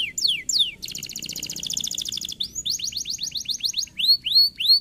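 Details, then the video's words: Singing canary used to rouse other canaries to song: two falling whistles, a dense metallic trill, a run of rapid clipped notes, then short upswept whistles. "lindo canário! estimular muito rapidamente o som de canários preguiçosos"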